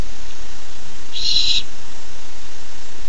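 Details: One raspy, breathy screech about half a second long from a young barn owl excited to get its first treat, recorded July 13, 2015, with low hum behind.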